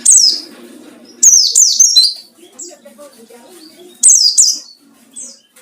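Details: White-eye in wild-style song used as a lure to provoke rivals: high, sharp descending chirps in bursts of two or three, each sliding down steeply, with gaps between bursts and faint low murmurs beneath.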